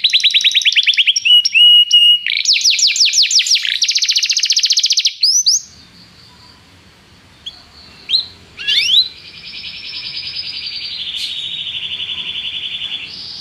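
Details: Canary tutor song for a young canary: rapid trills and whistles for five seconds, a pause with faint background hiss, a few rising notes, then a long sustained level buzzy trill.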